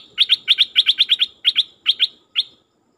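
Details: Dok taeng bird kept as a decoy to attract wild birds, giving crisp high chirps mostly in quick pairs and triplets, spaced by short gaps, ending with one single chirp.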